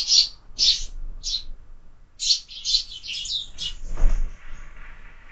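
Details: Morning sparrows at a window feeder: separate high chirps at first, then a quick tumbling run of twittering notes, with a soft thump midway.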